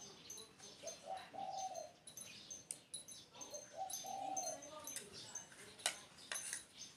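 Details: Spotted dove cooing two low, mellow phrases a few seconds apart, each climbing in short steps to a drawn-out hoot, with busy high-pitched chirps from other birds and a few sharp clicks behind.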